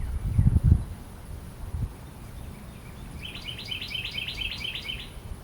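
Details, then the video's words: A few loud low thumps come first, then a Carolina wren calls a rapid string of about seven bright repeated phrases, each a high note falling into a slur, delivered evenly over two seconds. "Carolina Wren Calling"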